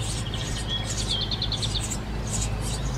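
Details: Eurasian Tree Sparrow nestlings: rapid bursts of high, hissing chirps recurring through the clip, with a quick run of thin repeated notes in the middle, over a steady low hum.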